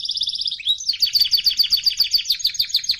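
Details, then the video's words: Singing canary used for training: a fast high rattle gives way to a slide, then rhythmic pulsed chirps repeated about seven times per second, loud and bright. "طائر الكناري يغرد بصوت ناري canary singing training"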